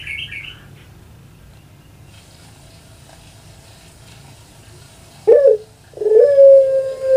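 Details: Quiet room tone for several seconds, then a kept puter pelung dove of Java, Indonesia, gives a brief low note and starts a steady, sustained coo that is still running at the end.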